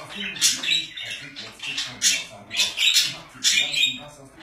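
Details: Kept budgerigars give rhythmic bursts of shrill, scratchy chirping roughly every half second, separated by short quieter gaps, a faint low murmur beneath.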